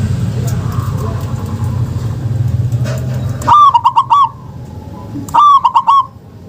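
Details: Two rolling phrases from a local zebra dove, a recording meant to encourage lazy doves to call. Each phrase is a fast series of about five soft, stuttering coos that follows a stretch of low, noisy rumble.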